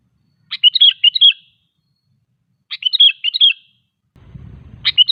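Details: Sooty-headed bulbul singing a lively phrase used to coax other bulbuls into song; bubbly chirped phrases repeat roughly every two seconds, and a brief low rumble enters near the end.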